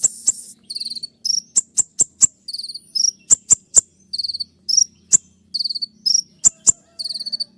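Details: Olive-backed sunbird, known locally as kolibri ninja, in a sharp, piercing 'tembakan' song: crisp high clicks alternate with short, fast, buzzy trills, repeated steadily with brief pauses.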